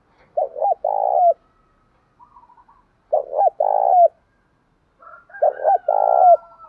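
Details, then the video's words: Spotted dove, male and female, calls used to stimulate captive doves to call: three cooing phrases, each two short rising notes then a long buzzy trembling coo, spaced about two seconds apart, with faint softer notes between. "tiếng chim cu gáy kích bổi hiệu quả hàng ngày"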